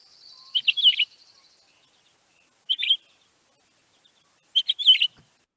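Pine Grosbeak flight calls: three short bursts of clear, warbled whistles, two or three notes each, spaced about two seconds apart, with a faint high whistle at the start.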